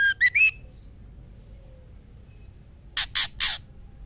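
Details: Calling for a mate, a female white-rumped shama gives three quick whistled notes climbing in pitch, then after a silent gap three harsh, noisy rasps.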